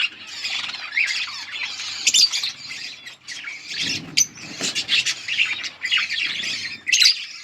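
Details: Chirping budgies: high warbled phrases and squeaky tweets in bursts, broken by sharp clicks and a few quieter gaps.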